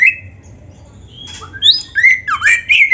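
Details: Oriental magpie-robin in a loud full song, used as a tutor recording for training other magpie-robins: a sustained high whistle, then rapid sweeping, slurred whistled notes and harsh squawky phrases in quick succession.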